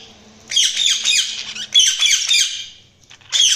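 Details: Rapid budgerigar chirping: quick chains of squeaky, scratchy notes in two long runs, then a short fresh burst after a pause.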